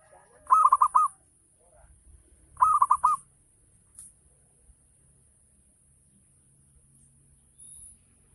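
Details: Song of a local Javanese zebra dove, the full ngayer style used to provoke other doves into calling: two short phrases of rapid, bubbling coos, two seconds apart, then quiet with faint background rustles.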